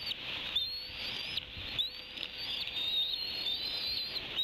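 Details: Wild bald eaglet at the Decorah N2B nest squeeing just after its father delivered a fish, while a sibling works on the fish: long, thin, high whistled squeals, sustained and wavering, repeated in drawn-out bouts over faint background hiss.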